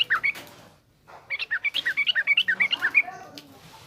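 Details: Yellow-vented bulbul of the garuda type giving rough ngriwik chattering song for tutoring young bulbuls: a few bright notes, a brief pause, then a fast run of about fifteen sharp, slurred chirps.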